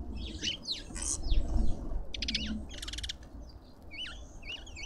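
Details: Lovebirds in a suburban Pretoria garden in South Africa squabbling at a feeder: loud harsh screeches and buzzy rasps, followed by a run of clear wavy, bouncing squeaks.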